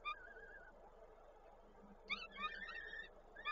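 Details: Peregrine falcons at a nest in Koszalin on 13 May 2022, the male arriving with prey while the female feeds the chicks; wavering harmonic calls, then a burst of sharp, rising and falling chipping notes, with faint low background hum.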